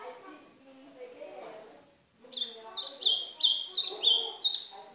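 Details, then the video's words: Northeastern ultramarine grosbeak song played to warm up a pet seedeater. After a murmur of low harmonic sounds, a brisk run of high warbled notes repeats in quick pulses of about two per second. "Esquentar meu golinha canto do AZULÃO DO NORDESTE!!!"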